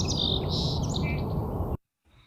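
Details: A song sparrow in a spring dawn chorus at High Park, Toronto, sings a couple of clear, high introductory notes, then a quick buzzy trill. It is heard over a heavy low rumble before the sound cuts off abruptly.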